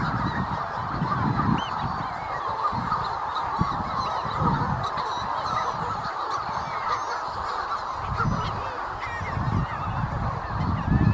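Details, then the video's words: Manx shearwaters near the North Haven on Skomer fill the air with a dense chorus of harsh, crowing cackles that rise and fall without pause, over a low rumble of wind. "The Sound of Manx Shearwaters"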